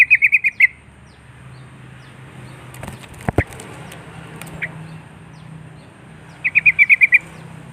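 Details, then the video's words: Sooty-headed bulbul calling up rivals, two rapid runs of six or seven sharp chirping notes at the start and end, with clatter and thumps in between over a low hum. "Paud Trucuk Memangil Musuh Burung Bahan Jenis Apapun Pasti Nyaut"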